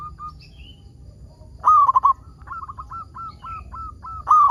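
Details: Lure recording of a frequently singing local zebra dove to start other zebra doves singing: a loud, trilled, stuttering coo phrase, a run of soft, evenly spaced short coos, then another loud phrase.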